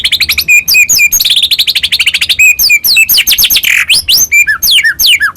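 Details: White-rumped shama in dense, vigorous song to provoke other birds of its kind: nonstop fast high chips and buzzy trills mixed with swooping whistled notes.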